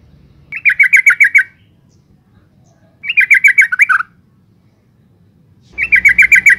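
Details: Calling female yellow-vented bulbul, meant to draw out male singing: three bursts of rapid, rhythmic chattering notes, seven or eight per burst, repeated roughly every two and a half seconds, with a brief low thump at the end.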